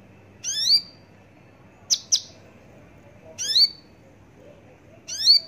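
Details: Javan bush lark alternating buzzy, rising overtone-rich notes with a quick pair of sharp high chirps, phrases spaced one to two seconds apart.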